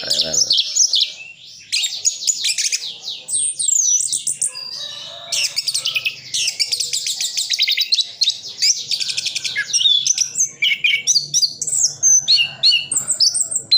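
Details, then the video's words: Caged orange-headed thrush from Sidoarjo, East Java, singing a full song packed with mimicked phrases: rapid, varied sequence of high whistles, sweeping slurs and dense chattering bursts, loud and continuous throughout with barely a pause. "Anis Kembang isian full"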